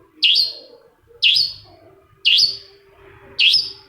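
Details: Lure sound of a Long-tailed Shrike (cendet) for provoking another shrike into song: four strong, piercing chip notes, about one per second, each ending in a brief ringing tail.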